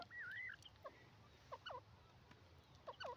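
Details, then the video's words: Yellow francolin (called Irani teetar; possibly female) giving a wavering whistled note, then sharp, downward-sliding paired notes repeated about every second and a half over a steady low hiss. "irani teetar ki awaz yellow francolin voice"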